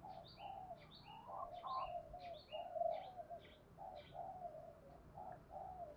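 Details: Decoy spotted dove of the 'giọng thổ' voice style, cooing and calling: soft, low, mellow coo phrases rise and fall through the clip. Another bird gives thin, high, paired chirps about every half second over faint background hiss.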